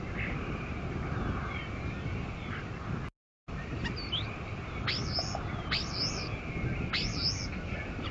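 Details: Bald eagle at its Fort St. Vrain nest, 57 feet above ground, on a live nest camera, 14 March 2024. After a short gap come four sharp, high, piping notes, each jumping steeply upward, over steady low rumbling background noise.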